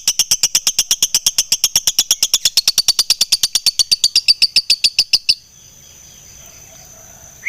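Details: Rapid ngekek chattering from a fighter lovebird in top singing form, with tight gaps: a steady, fast series of high, scratchy notes for about five seconds, then quiet, ending with a rising whistled tone.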